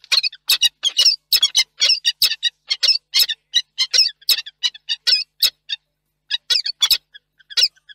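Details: Peregrine falcons in Reda, Poland, 4 August 2024, with the whole family present and the young interrupting the adults' meeting. Rapid harsh chattering notes repeated several times per second for most of the clip, with one brief pause.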